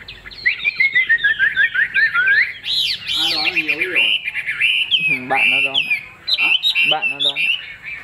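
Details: Chinese hwamei in a cage singing quick warbled phrases and loud whistles, with a man talking over parts of the song.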